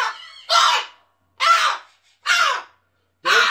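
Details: An angry pet cockatoo kept indoors screams harshly. Four loud, raspy, broadband screeches come roughly one second apart, each abrupt and grating, with silence between them.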